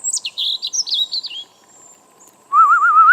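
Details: Young European robin, tame and now adult, singing in a garden on a cold morning in November 2014: rapid high squeaky notes tumbling downward, a pause, then a lower, warbling, wavering whistle that rises at the end.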